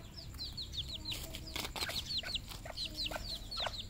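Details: Red junglefowl on a farm in Cambodia: a fast run of thin, high, downward-slurred peeps, several per second, with a few low clucks and clatter underneath and a steady low hum.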